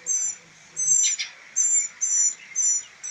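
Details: Rescued northern mockingbird nestlings, a trio being rehabilitated before release, utter five high, shrill, drawn-out squeaks in three seconds, with short gaps between them and a soft rustle.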